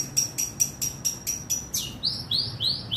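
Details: Long-tailed shrike provoked to sing: a rapid series of short sharp notes repeated about four times a second, then a switch to sweeping rising-falling whistles.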